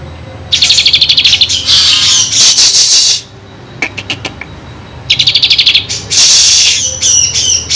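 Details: Kinoi in full song with fill-in phrases, kept as a tutor for white-rumped shamas: rapid buzzy rattles, noisy high bursts, a quiet gap, then sparse clicks before rattling resumes.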